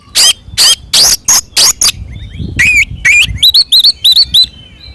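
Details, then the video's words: Oriental magpie-robin (kacer) fighting song meant to provoke other birds: six loud harsh rasps, then a series of bright upslurred whistled notes repeated quickly. "SUARA BURUNG kacer gacor NGEPLONG TARUNG ini paling AMPUH buat PANCINGAN KACER agar EMOSI NYAUT"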